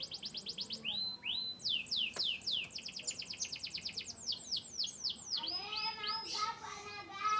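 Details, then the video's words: Canary of Yorkshire descent from Turkish and US birds singing rising whistles, fast falling chirps and trills, ending in a rich burst of varied warbling notes. "chirping birds.Canary bird."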